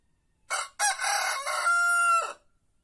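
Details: White rooster crowing once: a brief rasping note, a short gap, then a long rough syllable that settles into a pure sustained tone and ends with a quick downward slur. Nothing else is heard.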